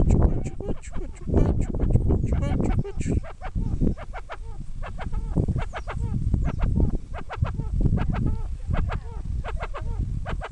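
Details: In the Caribbean, a domestic Rufous-vented Chachalaca calls in a raucous, rhythmic chorus of harsh, hoarse notes, several a second, over a steady low rumble of wind.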